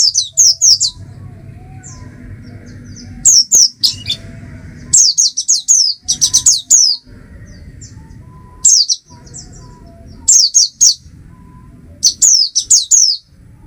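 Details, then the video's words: Oriental white-eye, a small passerine of tropical Asian open woodland, giving bursts of high, thin, rapidly descending chirps in quick runs, with pauses between phrases and a low background hum. "Oriental White Eye"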